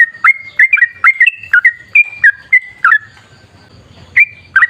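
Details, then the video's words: Energetic sooty-headed bulbul song in the long rapid-fire forest style, used to coax bulbuls into singing: a run of sharp, bubbly whistled notes, then a quiet gap with a faint low hum, and two final notes. "Suara trucukan gacor ropel ngalas buat pancingan trucukan agar bunyi"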